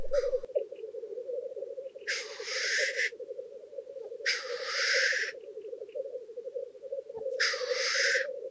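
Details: Male black grouse gathering at a spring lek in wetland swamp at dawn, early March, clear sky: continuous low bubbling rookooing drone, with loud harsh hissing sneezes repeating about every two to three seconds.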